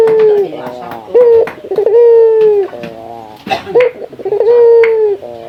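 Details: Male local puter (Barbary dove) calling out to a rival: long, low, level coos with a bubbling rolled start, each drawn out over about a second and repeated in a steady series, loud and close.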